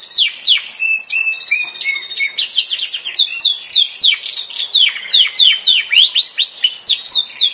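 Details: Sustained Yorkshire canary song of quick rolling phrases: short falling whistled notes and brief trills repeated rapidly and steadily for several seconds, loud and clear with little background noise.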